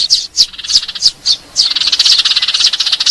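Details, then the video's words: Eurasian tree sparrow fighting calls used as a bird lure: several separate sharp, high chirps, then a fast, harsh chattering run of excited notes to the end. "suara pikat burung gereja tarung"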